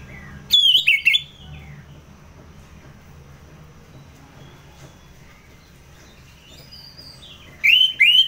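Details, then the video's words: Ngeplong-style song of an Orange-headed thrush from North Bali. Two short bursts of loud, fluttering whistled notes are heard, one at each end, with quiet room hum in the long pause between them. "ANIS MERAH Ngeplong"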